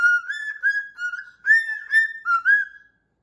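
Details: Whistled tune from a pet cockatoo asked to sing, made of smooth, steady notes that rise and dip slightly, in short connected phrases that end in silence.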